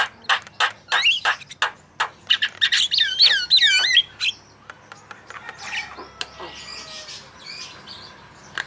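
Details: Javan myna song used to prompt other birds to sing: sharp clicks and chatter around a short run of looping whistled notes, fading into softer scratchy sounds toward the end.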